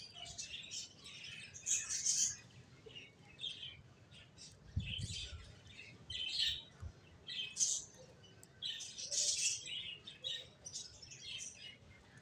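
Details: Finches chirping in a busy chorus: short, bright high-pitched chirps and twitters overlapping in bursts every second or so, with quieter gaps between, over a faint low hum.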